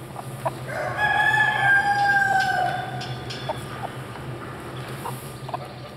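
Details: Swiss chicken rooster crowing at a small-animal show in Boncourt, Switzerland, in November 2012: one long, drawn-out crow lasting about two seconds, then scattered clucks and indoor hall chatter.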